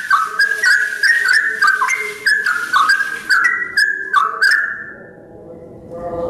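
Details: Sooty-headed bulbul's dawn song: rapid fluty whistled phrases for about four and a half seconds, then the singing stops, leaving faint low background sound.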